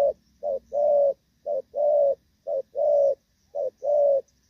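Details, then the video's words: Moulting spotted dove performing a Thổ Pha style coo, recorded 3 June 2024, its song still in good form. Low, mellow coos come as a short note followed by a longer drawn-out note, repeated in steady pairs with brief pauses. "Thổ Pha | chim đang lông nhưng dàn rước với nước gù cũng tốt"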